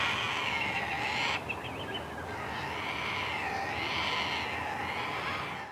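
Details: A noisy cockatoo, croaking constantly with its wings held out, gives loud, harsh, rasping croaks, drawn out and wavering in pitch, running almost without a break.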